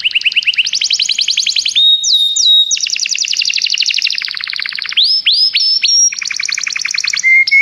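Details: Common canary song of dense rolling trills, rapid repeated notes shifting in pitch, broken by short whistled slides and a brief pure tone near the end.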